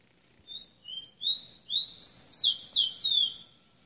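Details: Singing tropical bird giving a bright whistled phrase of about eight notes, starting with short level whistles, then upslurred and downslurred notes that climb and fall, delivered briskly with near-silent surroundings.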